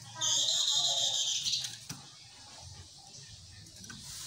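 Chestnut-capped laughingthrush gives one loud, harsh, ringing phrase of about a second and a half, then falls quiet with only faint chirps and room hiss.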